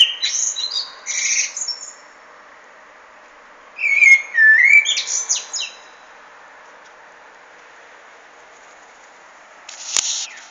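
Common blackbird singing short phrases a few seconds apart, a low fluty warble breaking into high, squeaky twittering, over a steady background hiss.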